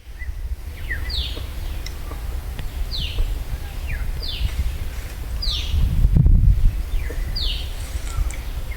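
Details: Parakeet near its nest, the male present and eggs in the tree, with many parakeets calling nearby; sharp, screechy descending notes repeat roughly every half second over heavy low wind rumble and rustling leaves.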